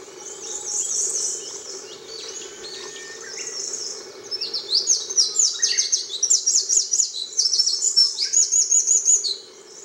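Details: Eurasian wren of the Mosuke form, recorded at Tairo-ike pond, Miyake Island, Japan, on 22 May 2011, delivering a long, piercing song. Thin high warbles lead into fast, repeated trill bursts that pulse quickly, then stop abruptly near the end.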